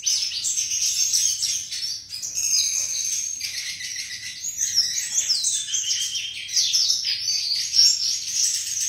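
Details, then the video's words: Sikatan flycatcher singing sweetly: dense, continuous high twittering with rapid warbled phrases, trills and whistled slurs, steady throughout with brief dips in loudness. "Burung Sikatan Bersuara Merdu dan indah"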